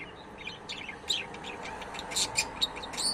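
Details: Budgerigar giving scattered high chirps and a few sharp, louder clicking notes over soft, steady background noise.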